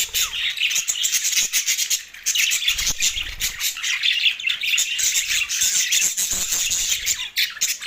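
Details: Two male budgerigars kept as pets warble loudly in a dense, continuous mix of scratchy twitters, clicks and squeaky chirps with hardly a break.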